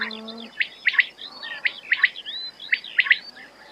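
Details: ['Quail repeating a crisp, snappy triple-note phrase about once a second, each burst of sharp clicks closely spaced, with faint thin whistles between the phrases.']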